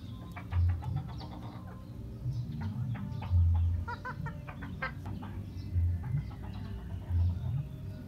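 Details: Polish chicken giving short, soft clucks in scattered bursts, some in quick pairs, over a steady low rumble that dominates the recording.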